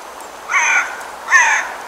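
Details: Brambling in Almaty, Kazakhstan giving two harsh, nasal, buzzy calls, each about a third of a second long and slightly rising, with a short gap between them against a quiet background.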